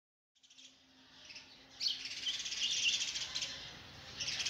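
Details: Sparrow chicks begging while an adult tries to feed them oversized food: dense, shrill, high chattering chirps building after a quiet start and running almost continuously, with a brief louder burst near the end.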